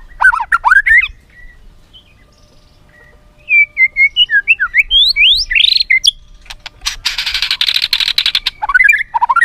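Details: White-rumped shama delivering a song packed with imitations, used as a lure for other shamas: varied whistles and sweeping notes, then a rapid, harsh, buzzy rattle before more clear whistled phrases.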